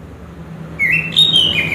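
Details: Chestnut-capped thrush (anis kembang) song: a rich warbled phrase of connected whistles rising and falling, starting after a moment of quiet low hum.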